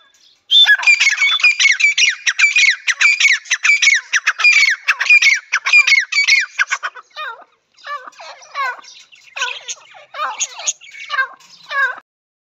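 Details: Grey francolin (teetar) in a hunting-call recording: a long, loud, strident series of sharp, ringing notes repeated rapidly, then lower, hoarser paired notes in spaced bursts toward the end.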